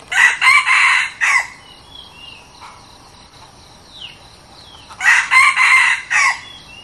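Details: Decoy red junglefowl on trial crowing twice: a harsh multi-part crow, a gap with small birds' thin descending whistles, then a second matching crow of four raspy segments.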